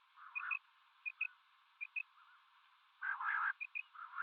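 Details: Male and female common quail calling together: soft, clipped double notes repeat about every three-quarters of a second, then a louder, broad, rasping burst follows. The tone is narrow and tinny.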